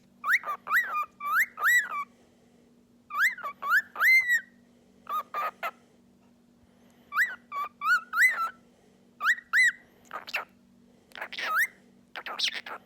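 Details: Pet cockatiel, a talking and singing bird, giving bursts of rising and falling whistled notes in short phrases separated by pauses, with a steady low hum behind.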